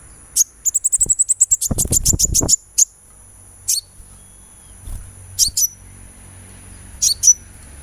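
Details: Sunbird in a recording for bird-singing therapy: a fast run of about a dozen high, piercing chips forming a trill, accompanied by low knocking sounds, followed by scattered single and paired chips.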